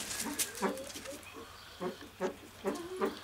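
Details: Captive Satyr tragopan displaying at a pheasant breeding farm: short, harsh, grunting bleats with a low harmonic stack, given singly or in pairs about every half second, with faint high clicks and farm background.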